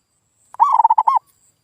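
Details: Single cooing phrase of a local zebra dove (perkutut) from a lure recording for stirring silent birds: about six quick rolling pulses, then a final rounded coo that rises and falls.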